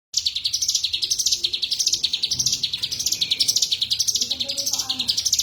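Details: Cigun singing energetically: a continuous high, rapid chatter of chirps that sweeps up and down in waves about every second and a half, with faint low voices or sounds underneath.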